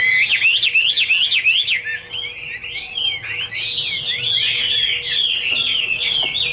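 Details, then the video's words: Chinese hwamei (Garrulax canorus) pours out rapid repeated zigzag whistles, then shifts into a denser, tumbling warble of overlapping notes that carries on to the end. "Birds Garrulax canorus: Singer yellow mouth - wonderful birdsong 2016"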